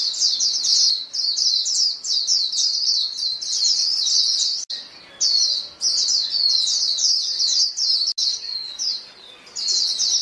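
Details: A flock of white-eyes calling to each other: a dense, overlapping stream of thin, high chirps and twitters, briefly cut off near the middle and again later, with no other sounds.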